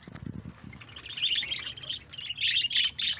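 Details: Budgerigars kept as pets, 1 June 2024: a rapid run of thin, high twittering chirps, three to four each second, following a few soft low knocks at the start.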